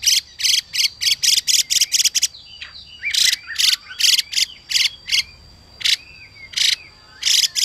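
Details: Harsh 'xùy' notes of a female hwamei, used to excite males into song, come in a fast rattling series, stop, then resume more sparsely while a male adds looping whistled notes.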